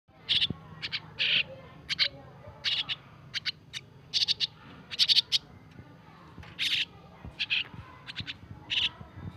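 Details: Starling nestlings, recently taken from a nest and hand-fed daily, give harsh, raspy chirps in short bursts, about sixteen in nine seconds, with irregular gaps and a low background hum.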